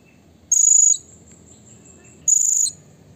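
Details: A Blue-crowned hanging parrot, heard as a lure to make rivals agitated, gives two shrill, very high, steady whistled notes about two seconds apart, joined by a thin faint tone, with quiet low hum behind.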